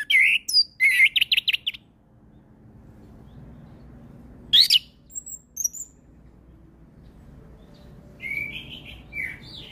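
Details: Orange-headed thrush (anis kembang) song for bird training: a fast burst of clipped notes, a sharp upslurred call after a pause, soft twitters, then a closing whistled phrase over faint background hiss.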